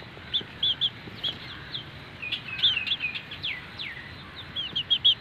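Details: Newly hatched Aseel chicks with their grey mother hen, Mianwali: many high, thin peeps, some long falling slurs, overlapping in busy clusters with constant hiss behind.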